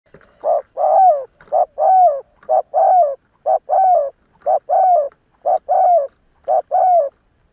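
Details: Morning cooing from a decoy spotted dove used to lure wild doves. Mid-pitched, hooting coo phrases repeat about once a second, each a short note and then a longer note that slides down, in a quiet background.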